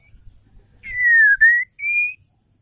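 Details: Female white-rumped shama giving a call used to provoke males into singing: three long, clean whistled notes, the first sliding slightly downward, a short break, then a higher steady note, in a quiet setting.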